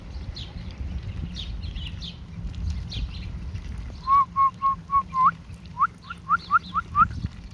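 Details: Foraging ducklings give a run of about a dozen short, upslurred peeps in quick succession, with fainter high chirps earlier and a low background rumble.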